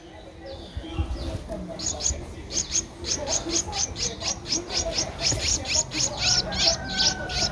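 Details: Young Streak-eared Bulbul, twelve days old, at Ubon Ratchathani, Thailand, 14 April 2023: after a quiet start, a run of high, clipped chirps repeated about once or twice a second, with faint background noise.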